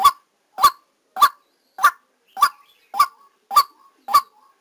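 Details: White-breasted waterhen decoy bird calling while trapping was under way: eight loud, abrupt, nasal notes at a steady pace of just under two per second, with faint soft echoes between them.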